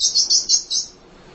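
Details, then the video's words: Munia, kept as a tutor for other songbirds: a quick string of five high, buzzy chirps running together, then silence. "Kicau Emprit Ngoceh Tak Kenal Lelah Untuk Masteran"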